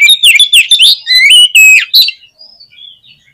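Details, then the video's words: Oriental magpie-robin (kacer) song for provoking a pet bird to sing: a dense stream of bright, swooping whistles and clipped notes for about two seconds, fading into quiet distant whistles. "KACER KURANG EMOSI ?? PUTAR SUARA INI DI JAMIIN KACER KALIAN AUTO BONGKAR ISIAN"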